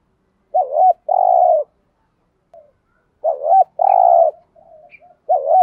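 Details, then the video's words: Caller spotted dove used to incite rival doves to fight and coo back. It gives two cooing phrases, each a dipping double note then a long level coo, with a faint soft murmur between them. "chim cu gáy mồi thúc rút bổi gáy theo rất cao"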